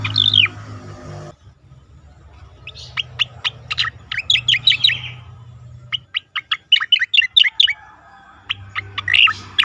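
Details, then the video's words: Singing Asian pied starling on a competition-bird training recording: a slurred opening whistle, then long runs of crisp, rapid chirps and clicks in bursts, with brief gaps and a low hum at times. "khas cica koreng suara shahduh sangat bagus untuk masteran burung lomba"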